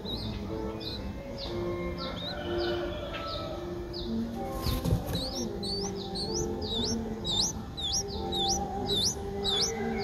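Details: Streak-eared Bulbul nestling, seven days old, the age its eyes open, in Ubon Ratchathani, Thailand, on 9 April 2023, begging with rapid high upslurred squeaks in irregular runs, over lower steady tones and background hum.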